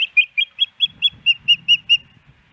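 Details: Female osprey calling for fish from her mate at the Hellgate Canyon nest, Missoula, Montana, 10 September 2018: ten piercing whistled notes in steady rhythm, roughly five a second, with faint low rumbling noise behind.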